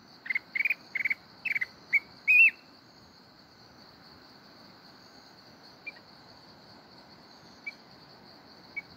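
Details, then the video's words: Short burst of kít bổi forest-voice song from a mountain red-whiskered bulbul: a few rattled chip groups and a rising whistled note, followed by long quiet with faint isolated chirps and a constant high hum. "chào mào núi hót giọng rừng kít bổi cực hay"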